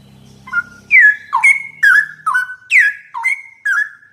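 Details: Tutor recording of straw-headed bulbul song for teaching yellow-vented bulbuls: a faint low hum fades at the start, then rich whistled notes with steep downward slurs and held tones follow in quick succession.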